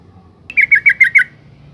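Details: Female yellow-vented bulbul calling to stimulate males, a single short phrase of five evenly spaced chattering notes delivered in under a second over quiet background.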